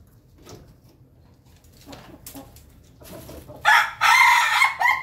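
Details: Ayam Ketawa chickens feeding as a group inside a coop; after quiet scratching and soft clucks, a loud, bright crow bursts out in broken, rising and falling phrases lasting over a second.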